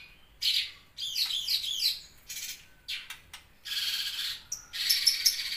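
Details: Loud cucak cungkok bulbul song of bright, high chattering phrases, sweeping whistled notes and sharp bursts broken by brief pauses, with strong high-pitched clicks near the end.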